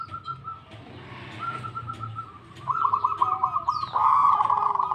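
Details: Local zebra dove in full voice, answering right away. Quick bubbling coo trills run at a level pitch, first softer, then louder and choppier, ending in a strong rolling phrase. A faint high note slides in near the end.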